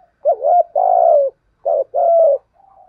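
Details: Decoy spotted dove used to lure wild doves: one full coo phrase of a wavering note and a long falling coo, then a second shorter phrase and a faint trailing note.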